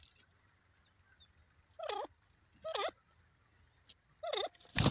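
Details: Three wavering squeaky chirps from a young grey francolin, each about a second apart, after a quiet start and ending in a sharp burst of noise.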